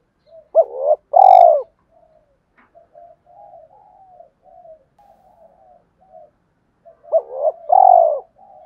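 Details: Spotted dove cooing, a recording played daily to stir wild doves into calling: low hollow coo phrases open and close the passage, each with short looping notes and a longer rolled coo, softer faint cooing murmuring in between.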